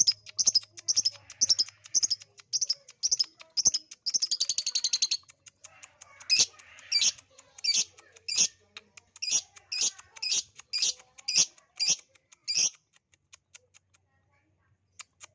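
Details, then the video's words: Lovebird lure sound to get lovebirds singing: a long, steady train of rapid high chirps, a short buzzy trill, then a series of louder, harsher shrill chirps before falling quiet. "pancingan ampuh love bird jadi bunyi"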